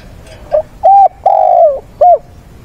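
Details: Fighting song of a decoy spotted dove calling mates, recorded on a weekend, 6/9: a full rhythmic phrase, a soft short coo, a clear level coo, a long descending coo and a closing short coo, in a quiet setting.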